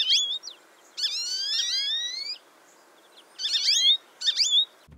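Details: An American Goldfinch in an eastern North American backyard gives its high-pitched whistle calls: thin whistled notes in three bursts, with twittering slurs and long rising whistles, the middle burst over a second long.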